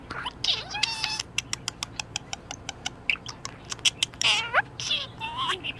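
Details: Cheerful pet budgerigar, very good mood, giving a steady series of sharp ticking clicks about three per second, interwoven with squeaky rising chirps and a soft chattering warble.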